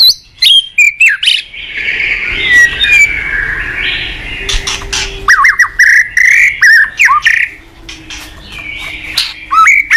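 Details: Caged white-rumped shama (murai batu) singing as a lure for training shamas: quick sharp notes opening, a long rambling warbled passage, then clipped chirps and rising whistles.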